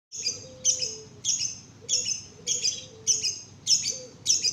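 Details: Canary chick, 1.5 months old, kept as a farm bird, just learning to sing: short bright high chirps with buzzy overtones, repeated about every half second in a steady series, over a faint low hum.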